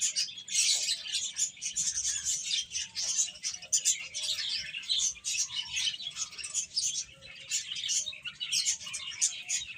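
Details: Baby chickens feeding and playing together: many high-pitched peeps pile into a steady, shrill chatter throughout, with no pause.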